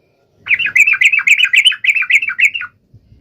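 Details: Sooty-headed bulbul song used to call out a rival, a continuous run of rapid, bubbly chirped notes, about four per second, warbling up and down for over two seconds before stopping.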